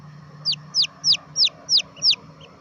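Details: Young red junglefowl giving six loud descending whistled peeps at a steady pace of roughly three per second, with a constant low hum behind.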